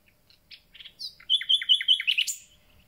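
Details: Newly arrived common nightingales beginning their singing: a few quiet scattered chips build into a run of repeated downward-slurred notes over a sustained high whistle, closing with a bright upward note.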